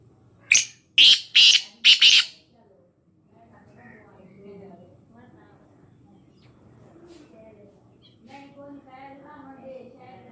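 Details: Black francolin from Khushab opens with a loud series of grating, scratchy notes: a brief lead note, then three or four harsh syllables within two seconds. Faint background chatter and soft low sounds follow.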